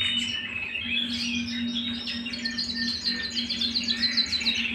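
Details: A canary sings at home with varied warbling phrases that turn into fast, evenly spaced high chips, roughly three per second, above a constant low electrical hum.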